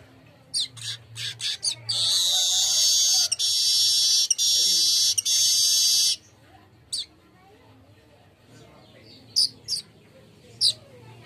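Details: Golden-headed weaver song used as a lure to make birds sing readily: scattered sharp ticks lead into a long, high, sizzling buzz broken by brief gaps, then sparse clicks with faint voices behind.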